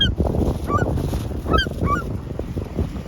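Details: Loud, ringing gull cries, each a short falling slur in twos, over blustery wind.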